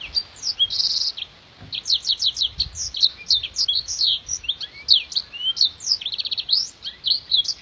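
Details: Black-throated canary pouring out a long, sharp, crystal-clear song for tutoring contest birds: rapid high chirps, downward-sweeping whistles and buzzy rattles strung together continuously.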